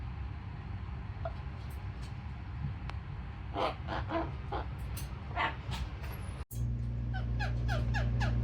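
Yellow-naped amazon giving a burst of rough, grating squawks, then a quick run of short, falling chirps about three a second, over a steady low indoor hum.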